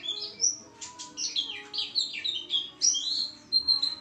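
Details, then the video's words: Vigorous white-eye warbling, a tumbling series of high, sweeping notes and sharp chirps run tightly together, ending in a few drawn-out thin whistles. "pleci gacor"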